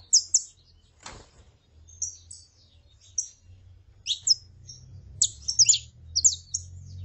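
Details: Female and male saffron finches, the female calling and the male singing, give scattered high chirps, then a denser run of sharp, clipped notes in the second half. A brief low knock sounds early on.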